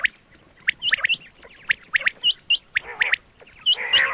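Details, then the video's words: Quail calling, sound used for hunting: a run of bright, upswept chirps about four a second, some doubled, ending in a burst of rougher nasal chatter. "quail 2024 Fresh sound Batair Ki awaz"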